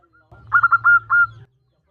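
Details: Female zebra dove calling the male: one short burst of five quick, clipped cooing notes, the last two longer and held, over a low steady hum.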